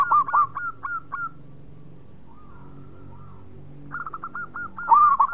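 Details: Local Indonesian zebra dove singing actively: a run of soft, rolling cooing notes around the same low pitch, a pause with faint background, then another quick trilling coo sequence ending in a louder burst.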